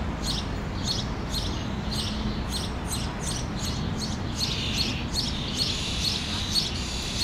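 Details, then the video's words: Common starling fledglings on a tree branch calling as a parent approaches to feed them, Helsinki, Finland, June 2013; repeated harsh, buzzy high calls about every half second over steady low background rumble. "Interaction between Starling fledglings and parent"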